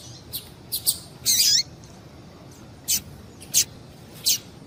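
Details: Calling female Double-collared Seedeater used to stimulate a male: a longer rasping high burst followed by three isolated sharp high notes spaced under a second apart.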